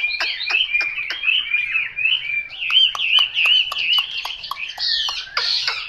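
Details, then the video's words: Chinese hwamei warbling a flowing line of slurred whistles, punctuated by sharp clicking notes at short intervals, growing louder toward the end. "Họa mi tuyển chọn"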